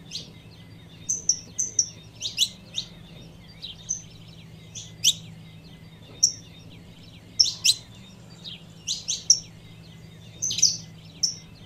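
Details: Female saffron finch (canário-da-terra) calling to stir up the male: high thin chirps and short tinny notes, scattered and irregular, often in quick pairs, over a steady low hum.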